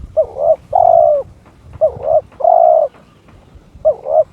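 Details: Spotted dove kept by its owner, in breeding mood and calling out a rival: repeated cooing phrases about a second apart, a quick double note then a long hollow coo, with a third phrase starting at the end.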